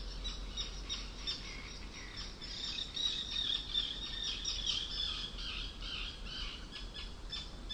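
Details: Arctic Terns calling at the start of a rainy summer evening in the forest at Hällögern, Sweden, in a binaural recording; sharp, overlapping calls repeat rapidly and irregularly, with steady wind and rain noise beneath.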